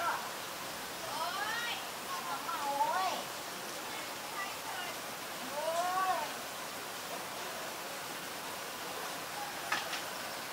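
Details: Common Myna (Acridotheres tristis) in Ubon Ratchathani, Thailand, May 3, 2022: a few nasal, mewing whistles that rise and fall, in bursts every couple of seconds, then a sharp click against steady background hiss.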